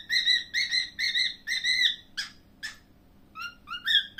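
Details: Pet cockatiel chirping in a steady run of bright, harmonic whistled notes about twice a second, followed by two harsher notes and then rising whistles; soft hum in the background.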